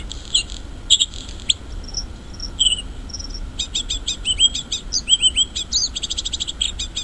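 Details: Bluethroat singing in the wild: a varied, high medley of sharp ringing notes and slurred whistles, then fast metallic ticking runs, over a steady low background hum.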